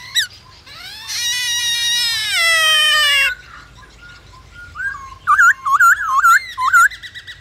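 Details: Black-throated laughingthrush song played to stimulate other birds to sing: a long harsh, buzzy, slowly falling note lasting two seconds, a short pause, then a rapid burst of loud looping whistles.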